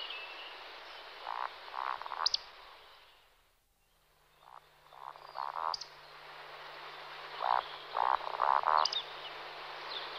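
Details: Two male Eurasian woodcocks in display flight (roding) give soft, throaty croaks in short bursts, followed by thin high squeaks. The calls fade briefly mid-recording, then return stronger. A faint steady low hum runs beneath.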